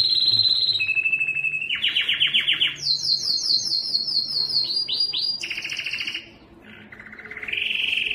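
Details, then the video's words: A Belgian canary sings its strongest song, used to attract females for breeding: a loud, fast song of rolling trills and bright whistled tours, switching pitch every second or so between high and higher phrases. "O canto mais forte do canário belga que atrai as fêmeas para a reprodução"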